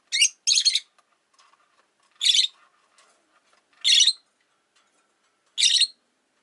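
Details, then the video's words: Caged Rosy-faced lovebirds, five kept by a window, give a quick double chirp and then three more harsh high chirps, roughly one and a half seconds apart, over faint background rustle. "Lovebird Chirping Sounds"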